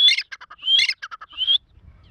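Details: Irani fighter grey partridge calling: harsh, crackling bursts, each with a thin rising whistle, three phrases in under two seconds followed by quiet.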